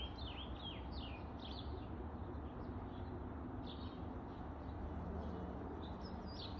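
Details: American robin song in a back alley, northwest Calgary, Alberta, 7:26 am, 16 July 2022: faint, clear whistled phrases slurring up and down in quick succession, half buried under a steady low rumble.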